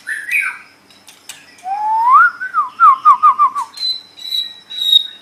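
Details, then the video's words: White-rumped shama, a kept tutor bird, giving a rich whistle, then a rapid repeated rolling trill of about seven wavering notes, ending with a thin high sustained whistle. "MASTERAN GACOR - Suara Burung Murai Batu"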